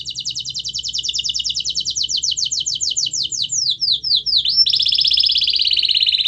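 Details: Canary singing to coax a lazy canary: a long, steady trill of rapid repeated notes that slows into separate sweeping downslurs, then a dense, even buzzing roll.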